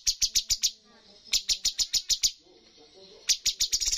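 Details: Competition bulbul, known locally as cucak cungkok, giving its full high-scoring 'tembakan' bursts: rapid trains of sharp, high chirps in quick series, a short pause with a faint hum, then another fast burst.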